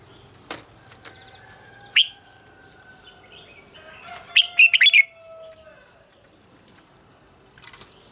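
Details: Red-whiskered bulbul giving a morning song in the wild-forest double-note style, used as a training song: scattered sharp chirps, then a quick burst of warbled notes near the middle and a few fainter calls after it.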